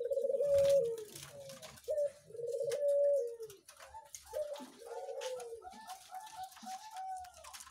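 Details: Zebra doves kept in clean cages at a breeding farm, birds of various ages, visited 3 July 2019. The doves give clear, low, gently falling coos, long notes alternating with shorter stuttered ones, with light clattering behind.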